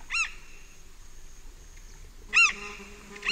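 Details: Large-billed tern in flight at Pacaya, recorded close: a harsh, nasal arched call, a two-second gap, then another loud call and the start of a third, with faint distant insects and birds.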